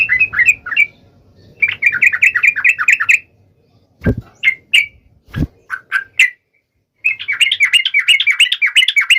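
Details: Sooty-headed bulbul calling to a rival: runs of quick, repeated chattering notes, broken midway by sharp clicks and knocks, then resuming in a dense, lively burst.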